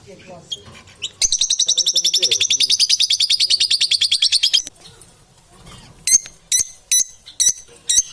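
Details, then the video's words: Lovebirds giving a fast run of harsh, shrill, evenly repeated chirps for about three seconds, then a pause and five separate sharp, high squeaks spaced about half a second apart, over a faint low background murmur. "Strange sounds and the crunch of inseparable parrots"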